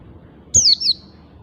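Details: Wild oriental white-eye in a lure recording giving a single pair of thin, high, downslurred whistled notes against a soft low hum.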